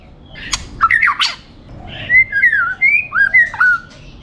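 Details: White-rumped shama, a champion competition bird, giving harsh scratchy bursts, then a flowing string of clear whistled slurs that rise and dip, each note loud and well separated.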